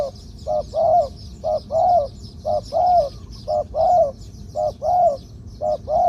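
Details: Medium-voiced spotted dove kept as a ground decoy bird, singing the two-kuk 'ku-ang' style: brief double coos followed by a longer, slightly falling coo, roughly one phrase per second, with constant high insect buzz behind.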